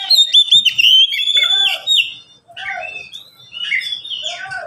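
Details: Caged Oriental magpie-robin, one of three pets calling back and forth, pouring out varied whistles, sharp chirps and slurred notes in quick bursts, with a short pause before softer phrases resume.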